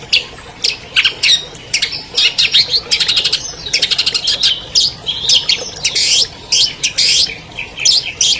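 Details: Albino long-tailed shrike, champion in 2020, pours out a dense, full song to rouse silent shrikes: machine-gun trills, rapid high chatter and sharp chips with barely a pause.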